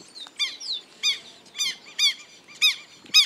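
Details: A pair of Southern lapwings, called quero-quero, attacks a person filming them. Harsh, strident screaming notes with stacked overtones come in an irregular series, about six calls in three seconds, over quiet outdoor background.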